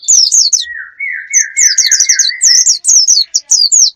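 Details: Lure for attracting wild birds, packed with fast, high twittering bursts and staccato chirp series, layered over a long, steady, lower whistled warble that runs for nearly two seconds.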